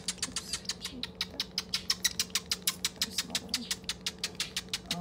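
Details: Hungry Chimney Swift nestlings from a rescued nest, brought into a wildlife clinic and being fed, beg with a dry, raspy ticking chatter of about six harsh pulses a second, over a steady low electrical hum.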